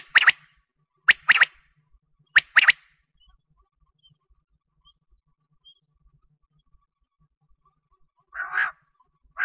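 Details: Quail call for wheat-season hunting: three sharp, clicky double-note phrases roughly a second apart, then a pause and rough, harsh buzzy bursts at the end.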